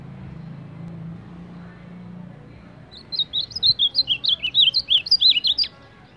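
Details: Champion ultramarine grosbeak singing in the baderna style: after a quiet start with low hum, a rapid run of about fifteen sharp, high, bouncing whistled notes pours out over roughly three seconds, then stops.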